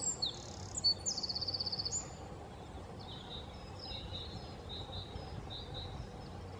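Eurasian wren song: high, sharp notes leading into a fast rattling trill of about a dozen pulses, then softer high trills, over a low steady rumble.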